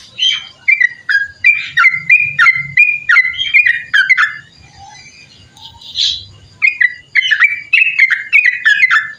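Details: Sooty-headed bulbul singing a long 'ropel panjang' song, used for tutoring other songbirds and as a lure. Bursts of short, bubbly, slurred whistled notes come in quick runs, with a brief pause midway and faint low hum beneath.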